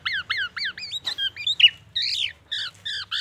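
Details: Mimicking oriental magpie-robin and ambulance siren, a black-naped oriole gives repeated downslurred notes, twisted whistles, a harsh burst and a raspy squawk, ending with clipped stacked calls.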